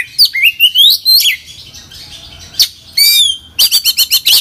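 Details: Oriental magpie-robin in full, vigorous song with imitated phrases: long upward-sliding whistles, a buzzy chirp, a descending trill, then a fast series of repeated sharp high notes.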